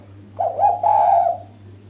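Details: One phrase from a female spotted dove calling to attract males: a short soft coo then a sustained, slightly wavering low coo, over a faint steady hum.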